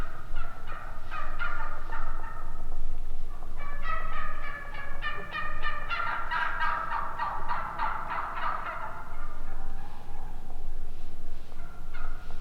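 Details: Wild turkeys yelp in long rhythmic runs, the notes quickening and growing louder into a dense cackling burst in the middle before tapering off, with a low steady rumble underneath.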